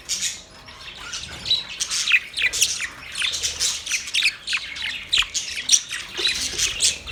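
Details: White budgerigars chatter in a dense stream of high, scratchy chirps and warbles.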